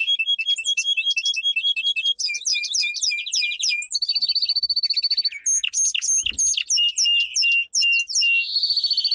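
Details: Domestic canary singing a powerful training song: rapid trills of repeated notes, shifting between high whistled tours and buzzy rolls, each phrase repeated quickly before switching to the next.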